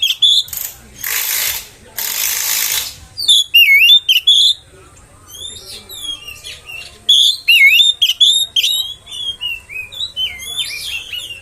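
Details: Oriental magpie-robin lure song for provoking other magpie-robins; opens with two bursts of harsh broadband noise, followed by scattered sweet whistled and slurred notes and short chattering phrases.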